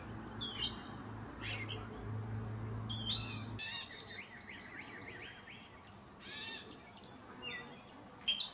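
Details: An indigo bunting that arrived this week and has not finished molting into full plumage sings a quick series of clear high notes in a short run, among scattered chirps of other birds and faint low hum.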